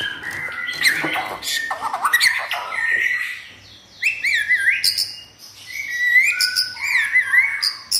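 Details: Captive white-rumped shama kept at home, never entered in contests, singing energetically: varied whistled phrases and rapid trills between mid and very high pitch, with sliding notes and brief pauses between bursts.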